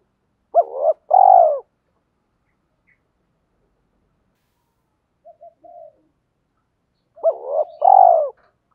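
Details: Spotted dove, male and female, calling as a decoy to lure wild doves. Two matching deep coo phrases, each a quick double rising note and a long falling hoot, about six seconds apart, with soft short coos between.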